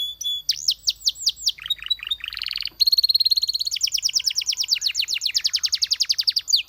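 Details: Belgian canary song opening with slurred upsweeping whistles and lower chirps, then breaking into a dense, fast, rolling trill that carries on steadily to the end.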